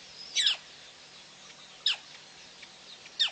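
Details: Female black crake at PP on 9/6/11 gives three separated calls, each a piercing high note dropping rapidly in pitch, spaced about one and a half seconds apart against a quiet hissing background.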